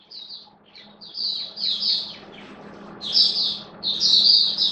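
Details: Hobby-kept oriental white-eye in a cage, 11 September 2022: high, slurred chirping phrases that grow louder toward the end, against a steady background hiss and low hum.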